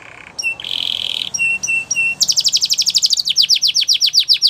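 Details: Belgian canary song used for training canaries: clear flat whistled notes and a short buzzy trill at first, then an accelerating series of bright, sharply falling syllables repeated about four per second.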